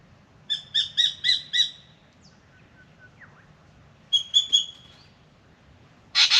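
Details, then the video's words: Spangled drongo in Australia, morning visit to a birdbath to drink: a burst of five ringing, nasal notes, a pause with faint soft sounds, then three similar notes and a final harsh rasping blast. "Beautiful Spangled Drongo sings and comes for a drink"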